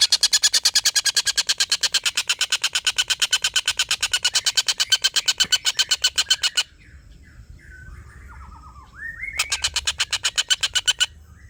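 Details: Collared kingfisher calling as a training model for competition birds. A long run of quick harsh notes lasts over six seconds, then a break with scattered whistled phrases, then a shorter burst of the same pulsing cackle.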